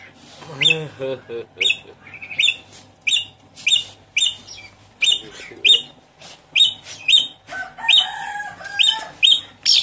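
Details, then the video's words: Javan pied starling song serving as a lure for a caged bird that has gone quiet: a long series of sharp, scratchy chirps at fairly even spacing, opening with lower nasal croaks and ending in denser chatter. "Suara pancingan burung jalak suren macet bunyi"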